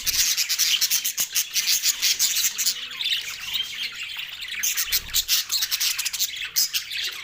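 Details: Pet budgerigars calling happily while eating a green meal; dense overlapping high chirps, squeaks and warbling chatter from several birds, continuous and busy, with occasional faint lower tones.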